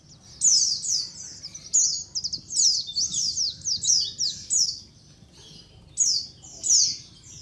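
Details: Chorus of white-eyes used to lure wild birds, a flock calling together with sharp, high, downward-sweeping chirps and rapid trilled notes, bursts coming irregularly about every second, over a faint low hum.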